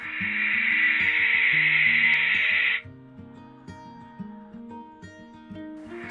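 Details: A young male barn owl calls at night from a tower nest box while courting a young female for the first time, calling louder after her reply; one long, harsh, hissing screech of nearly three seconds, with gentle music underneath.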